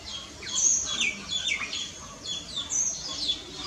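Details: Common myna (Acridotheres tristis) calling with quick bright chirps and short falling whistles, tumbling over one another in a busy, uneven sequence.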